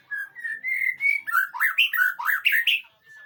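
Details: White-rumped shama training song meant to draw an answer: a sequence of clear whistles rising in pitch, then a fast run of looping, swooping notes before fading out.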